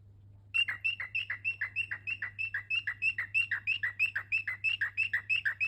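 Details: Pet cockatiels giving a fast, steady series of bright chirps, about three per second, each a short harsh note with a quick downward slide, over a constant low electrical hum.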